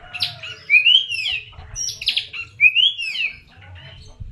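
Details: Lure song of an Oriental magpie-robin, mixing upward-swept whistles with scratchy chirps in lively bursts, over a steady low hum and faint background chatter.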